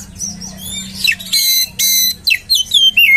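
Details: Oriental magpie-robin provoking song aimed at rousing other magpie-robins: clear whistled notes, two harsh rasping bursts, then quick descending slurred whistles, with a low hum beneath.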